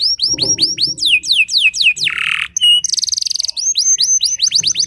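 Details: Canary song to make other canaries sing along: strong repeated sweeping whistles, a rough buzzy burst, a brief pure note, a rapid metallic rattle, then more swooping whistled phrases.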